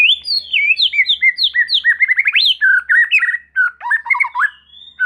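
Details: Rich, fast white-rumped shama song played to make young birds respond and sing: bright, swooping whistled notes in a continuous varied stream, some rising sharply, others dropping, with a faint low hum beneath.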